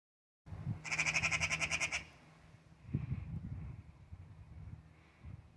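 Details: Angry Eurasian magpie that would not give up, scolding a cat: one dry, harsh, rapid rattling chatter lasting about a second, followed by low rustling and thumping sounds.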